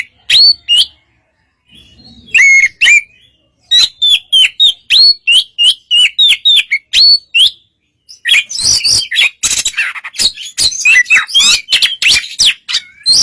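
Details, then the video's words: Oriental magpie-robin in relaxed song used to draw a reply from a less fiery rival; rapid run of varied chirps and short whistled slurs, then a harsher, scratchy burst of dense noisy notes in the second half. "suara kacer santai memancing kacer yg kurang emosi"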